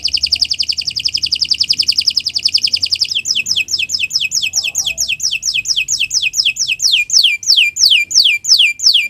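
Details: Morning canary song intended as a training model for other birds: a dense, rapid buzzing trill for about three seconds, then a long run of evenly repeated descending whistled sweeps.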